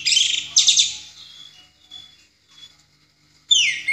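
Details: Orange-headed thrush giving ngeplong song, a master recording for teaching songbirds: a dense, rich burst of high chattering notes that fades into thin, soft whistles, then a strong downward-swept phrase at the end.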